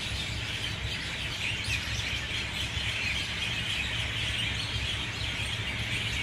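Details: Mynas calling together at dawn, 6:20 a.m., in a full loud chorus: a thick, constant mass of squealing and chattering voices, with a faint low hum beneath.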